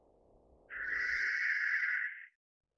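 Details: Australasian grass owl of the Taiwan endemic subspecies pithecops, a rare resident of lowlands and low hills: one long rasping screech, drawn out and steady for about a second and a half, over faint low rumbling background noise.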